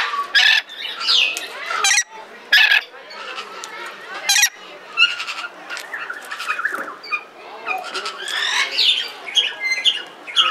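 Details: Captive red lory at Belgrade Zoo, Serbia, filmed in 2022: loud, harsh, broadband screeches in short bursts over a busy background of chattering, whistled notes and fainter bird calls.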